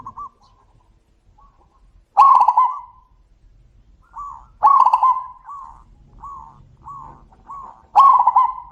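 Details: Zebra doves calling back and forth, loud rippling coos at roughly three-second intervals, with several short, soft clipped coos from a farther bird filling the gaps.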